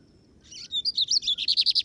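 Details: Lined Seedeater (bigodinho), a keeper's bird taken out on a field outing (campiada): a few buzzy high notes, then a fast train of about ten short, sharp, high-pitched pulses in steady rhythm, background otherwise quiet.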